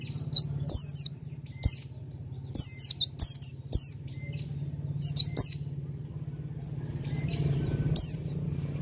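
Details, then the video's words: Bar-winged prinia singing in short bursts of sharp, high, steeply falling chirps, two to four notes per burst with pauses between, over a steady low mechanical hum and occasional clicks. "PLECI DAKUN FULL NGALAS HAMPIR NEMBAK"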